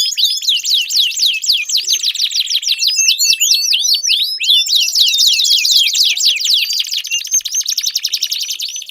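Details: Canary song to encourage a silent canary to sing: long run of rapid high sweeping notes and rattling trills, changing tempo midway, with faint low chirps in the background.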